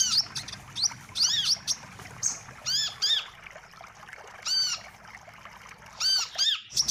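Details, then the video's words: Wiceh calls as a trapping lure: scattered short high twitters and pairs of arched, ringing down-curving notes, separated by quieter pauses. "suara pikat burung wiceh"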